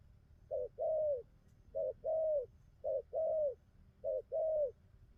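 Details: Newly wild-caught spotted dove cooing well, giving four two-part phrases of a brief coo then a drawn-out steady coo, spaced roughly a second apart, with faint low rumble behind.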